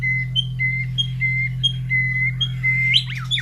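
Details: Caged White-rumped shama, fed in the morning and carried near breeding cages of other birds, giving a series of clear, steady whistled notes repeated about every half second, ending in quick rising and falling chirps over a constant low electrical hum.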